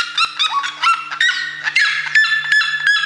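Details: Red-legged seriema giving loud, yelping song notes, each rich in harmonics, delivered in a rapid, uneven series of about three per second with a faint low hum underneath.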